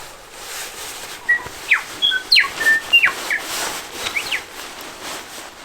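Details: A bellbird sitting close by in a beech rain forest during overnight rain camping sings a quick run of clear, ringing whistles and sharp down-slurred notes over about three seconds, against soft steady forest hiss.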